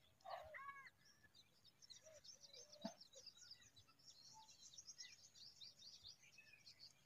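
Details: A mother familiar chat fixing her nest gives a short burst of rich, stacked call notes at the start, followed by a few lower notes, over a steady chorus of high, rapid chirping from many other birds.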